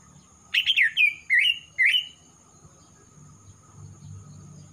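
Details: A singing young male greater green leafbird from Kalimantan, past its spotted juvenile stage with black on the foreneck, gives one short phrase of slurred, twisting whistles, then falls quiet against a low humming background.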